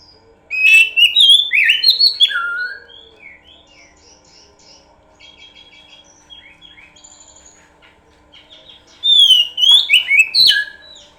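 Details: Oriental magpie-robin song used as a pancingan lure: a loud phrase of sweeping whistles and chattering notes, a long quieter passage of soft twitters, then another vigorous whistled burst near the end.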